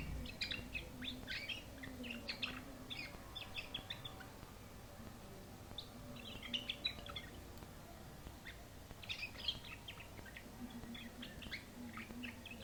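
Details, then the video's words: Canary singing: bursts of high, sharp chirps and short twittering phrases in clusters, pausing between groups, over a steady low hum. "تغريد الكناري 'canary singing'"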